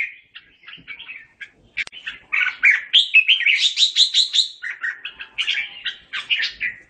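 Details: A red-whiskered bulbul sings to call its flock: lively, chattering phrases of bright whistled and warbled notes, rising into a quick burst of repeated chirps before easing off.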